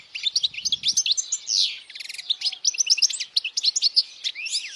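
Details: European goldfinch singing loudly, a song meant for young goldfinches to memorize: a fast, continuous twittering of high chirps, trills and slurred notes with buzzy rattles mixed in, plus a brief low thump near the start.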